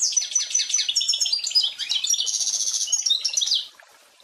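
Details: Pintagol, a hybrid bred from a goldfinch and a canary, singing a rapid, high-pitched twittering song of buzzy trills and thin whistled notes that runs unbroken for about three and a half seconds, then falls silent.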